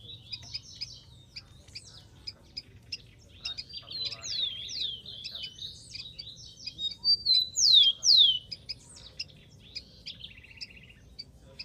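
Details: Busy twittering and ticking from a wild rufous-collared sparrow, broken by a phrase of bright falling whistles near the end and short buzzy rattles, over soft low background rumble.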